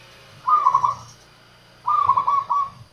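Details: Local zebra dove song meant to lure wild doves: two quick, rolling coo phrases of clustered notes, the second slightly longer, about a second and a half apart, with a low background hum.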